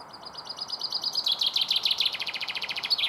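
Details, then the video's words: Common chaffinch perched on a large stone about ten metres away after drinking sings a bright, accelerating cascade of high notes stepping down into a louder rattling run, ending in a quick flourish. "Pinson des arbres chant"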